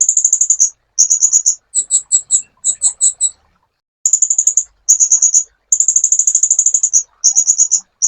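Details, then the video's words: Sunbird song from a master recording for training songbirds: bursts of rapid, very high, thin ticking trills, each under a second long, with short pauses and one slower run of paired notes; no other sounds. "MASTERAN BURUNG KOLIBRI"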